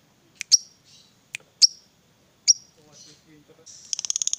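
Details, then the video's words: Lovebird fighter heard as bait to get other lovebirds singing: a few sharp, very high chirps spaced about a second apart, then a rapid buzzy trill building at the end. "Suara Lovebird ini Bisa bikin LB mu Rajin Bunyi Sepanjang Hari"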